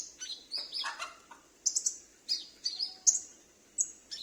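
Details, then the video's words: Home-kept sunbird singing in reply to another bird, a recording meant to lure wild or escaped sunbirds: sharp high chirps and descending thin whistles, a short lower chattering phrase, then spaced piercing notes. "Pancingan Konin Macet / Konin Bahan dan suara pikat ~ video burung asli | Sunbird call"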